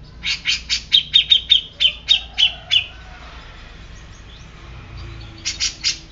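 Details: Grey-cheeked bulbul uttering a run of about a dozen ringing high chips at an uneven pace. After a quiet gap, a few harsh, buzzy notes close the sequence.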